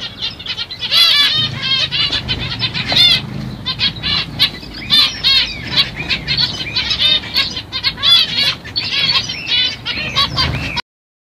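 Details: Black-cheeked zebra finches of CFW pastel mutation, caged, singing: dense runs of short buzzy, nasal notes and rapid chattering trills, several birds overlapping throughout with a faint low hum beneath.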